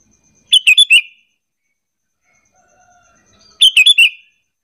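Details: Sooty-headed bulbul calling as a lure so other bulbuls join in answering: two phrases of four quick, bright, bubbling notes about three seconds apart, with faint soft whistles in between.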